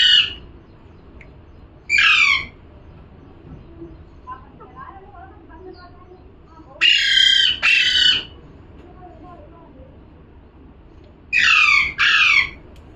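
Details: Parrot calling with harsh, grating squawks: single cries early on, then two quick double squawks later, with faint soft chattering in the quiet gaps.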